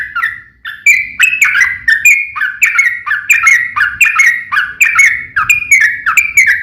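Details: Yellow-vented bulbul singing a prolonged fighting song to goad rival bulbuls into answering. After a brief pause, a steady stream of bubbly, slurred whistles begins, falling and rising in fast repeated phrases with clicky high accents and faint background hum.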